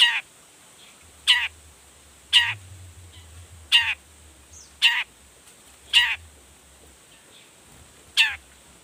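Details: Long-tailed shrike sounding off to stir other shrikes into reply: loud harsh, grating calls repeated roughly once a second over a faint low hum.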